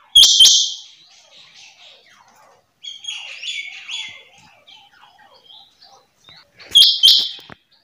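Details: Two loud, harsh, high-pitched bursts about six and a half seconds apart, calls of a female rain quail, with softer twittering from other small birds in between.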